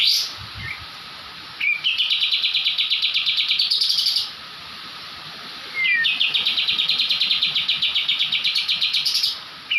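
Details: Kapas tembak white-eye from Java delivering 'ngebrem' song for songbird training: two long, rapid, evenly pulsed rattling trills of about two and a half seconds each, separated by short pauses and brief chips.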